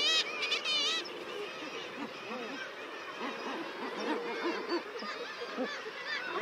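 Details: Guillemot crowing calls, a mass of low, rough, rising-and-falling croaks throughout, opened by a second of shrill, rapidly repeated higher calls, with other seabird cries scattered over the chorus.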